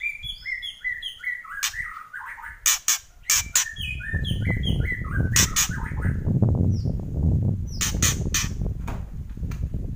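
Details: White-rumped shama singing kretekan: a fast cascade of short descending whistles, then harsh crackling bursts and sparse single notes above steady low background noise.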